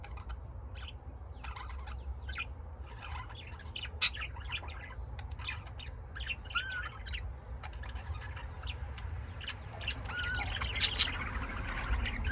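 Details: Lovebirds kept at home in Austin, Texas, USA, giving scattered high chirps and short harsh squawks, busier and louder toward the end, over a steady low background hum.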